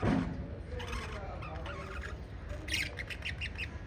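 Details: Pet lovebirds calling: a harsh squawk opens, then quieter scattered notes, followed by a quick run of sharp high chirps in the last second, all over a low humming background.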